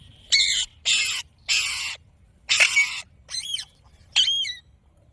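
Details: Pet ringneck parrot talking: four harsh, noisy voice-like bursts of about half a second each, followed by two shorter wavering whistled squawks, in a quiet setting.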